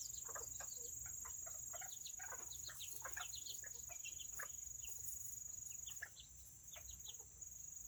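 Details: Serama chickens, described as the world's smallest chickens, on a rainy Saturday. Many short, high chirps and peeps come in quick, uneven succession over a steady background hiss and a constant thin high tone.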